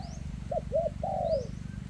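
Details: Single spotted dove phrase in 'kèm rước' style from a bird with a leg problem: two short rounded notes followed by a long, slightly wavering coo, with faint high twittering from another bird and low rumble.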